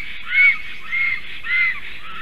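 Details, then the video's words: A nesting black stork pair defending against a stranger stork, 12 July 2023 at 11:42 am. Three drawn-out, arched, wheezy squeals spaced about half a second apart over low background rumble. "A strange Black Stork disturbs. Male & female are defending"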